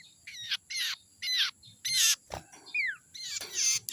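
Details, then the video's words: Wild young Common Iora, recorded as lure sound for birds, giving a run of about seven harsh, buzzy chattering notes roughly every half second, one clearer descending whistle among them, over low background rumble. "suara sirtu muda hutan ini suara ampuh pancingan"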